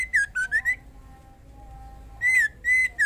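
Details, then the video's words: Female white-rumped shama in breeding condition calls to the male: a quick group of three rising whistles, a pause of over a second, then three more clear whistled notes, with a faint low hum behind. "SUARA MURAI BETINA MEMANGGIL JANTAN AGAR CEPAT GACOR DAN BIRAHI"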